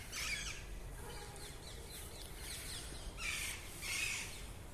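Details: A big group of parrots calling in the morning: harsh, raspy squawks in loud bursts at the start and again near the end, with softer chirps scattered between and a low rumbling background.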